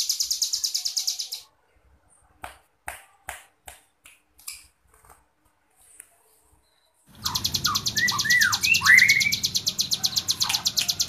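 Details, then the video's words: A tame hill prinia in full, vigorous song gives a fast, high buzzing trill with loud, slurred whistled notes dropping in pitch, and sharp clicks and taps between bursts. "CIBLEK GUNUNG JINAK GACOR-KLOWOR"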